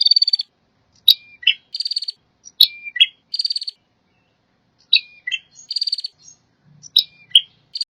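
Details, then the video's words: Prinia song with four dry, buzzy trilled bursts, each about half a second long, separated by sharp upward chips and short falling notes. Background is quiet apart from a faint low murmur. "Suara burung prenjek"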